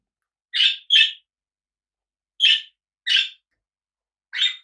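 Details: Pet cockatiels sharing a home with budgies give five harsh, squawky calls, two close together at first and then three single calls spaced about a second apart, in a quiet room.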